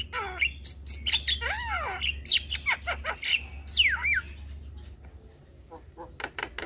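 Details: Black-winged starling song aimed at prompting other starlings to sing: a mix of harsh squawks, rising and falling whistled slurs and clicks over a low steady hum, thinning out toward the end.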